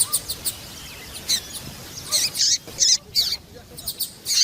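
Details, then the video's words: Female double-collared seedeater (papa-capim piadeira), a calling female used to excite males into singing: sharp, high chirps in short bursts, irregularly spaced, some in quick pairs, over a steady faint hiss. "Fêmea de papa capim louca piadeira levanta até defunto !"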